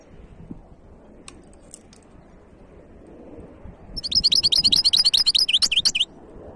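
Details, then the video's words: European goldfinch hybrid song from 2023: after a quiet stretch with a few faint chirps and low background noise, a burst of rapid, high, repeated twittering notes lasts about two seconds. "تغريد وابداع هجين الحسون"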